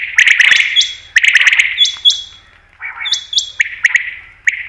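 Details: Common quail (batair) call used for quail hunting: harsh, echoing notes in quick bursts, with brief high flat tones and sharp clicks between, and a short gap near the middle.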